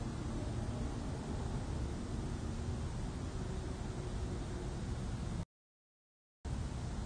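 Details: Steady hissing static with a low rumble cuts to a second of silence near the end, and no animal calls are heard.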